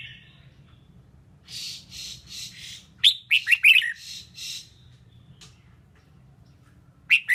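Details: Female red-whiskered bulbul singing to stimulate males: a run of five hoarse, raspy bursts, then a cluster of sharp rising whistles with more rasping, silence, and a final whistle. A faint hum continues.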